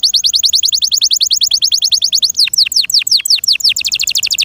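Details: Canary song in captivity: a fast, metronomic trill of about ten notes per second, a few deeper downward-slurred notes, then another quick high trill.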